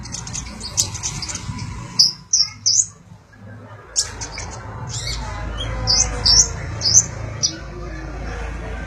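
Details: Sunbird song offered as training material for magpie-robins: very high, sharp chirps, some in quick pairs and triplets, separated by short pauses, over steady low background hiss.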